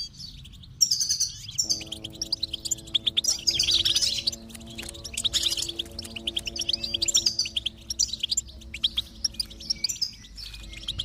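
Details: Song of a goldfinch, played to encourage a silent goldfinch to sing: rapid, bright twittering and chattering phrases throughout, over sustained low musical tones that start after the first two seconds.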